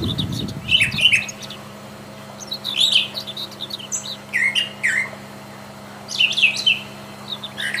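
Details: Brown Thrasher singing actively in the wild, with loud bursts of varied, rich whistled and chirpy notes, phrases coming every second or two, over a low steady hum.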